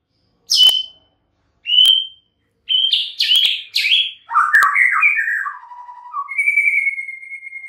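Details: Song of the white-rumped shama: three sharp, separated high chirps, then a fast run of buzzy notes, a falling warbled series, and a long level whistle to finish.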